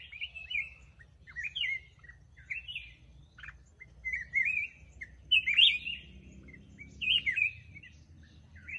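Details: Black-crested bulbul delivering a run of short chirpy warbled phrases, slurred up and down, roughly one every second, over a faint low background rumble.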